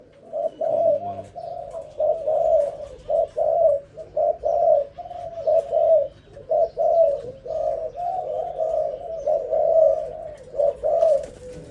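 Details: Young zebra dove singing a long series of short, warbling, slightly trilled coos in a mid register, delivered in quick bursts about one per second with brief gaps. Faint background noise.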